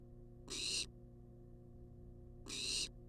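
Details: Wild barn owl demanding food at a monitored nest box, caught on live cam; two loud, wide-band hissing screeches two seconds apart, rough and breathy, with an electrical hum beneath.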